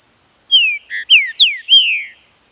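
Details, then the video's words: A captive Green-winged Saltator sings a quick phrase of rich, slurred whistles, mostly falling, with one low burbled note, over a faint steady high-pitched tone. "TRINCA FERRO CANTANDO"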